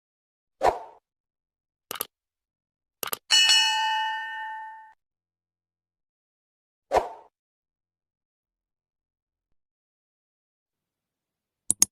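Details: Sparse metallic dings and clangs, then a single ringing bell-like tone that fades over about two seconds, with long silences between.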